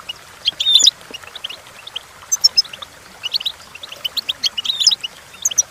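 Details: Goldfinch singing, recorded for tutoring other goldfinches: scattered bright chirps and metallic tinkling notes in short clusters, with brief pauses between bursts of twittering.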